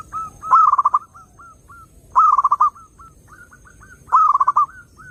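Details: Zebra dove cooing used to attract wild doves: three clear phrases, each a quick rolling trill of coos trailing into spaced single notes, roughly every two seconds, over quiet background.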